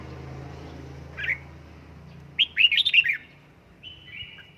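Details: Home-trained red-whiskered bulbul being worked up into 'căng lửa' singing: a lone chirp, then a rapid rolling phrase of slurred whistled notes, and finally a short level whistle that slides downward, over a faint background hum.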